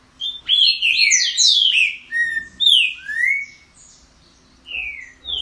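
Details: An unusual song from a green-winged saltator: a dense run of clear, sweeping whistles in the first two seconds, then separate downslurred and rising whistled notes, ending with two short high whistles after a pause.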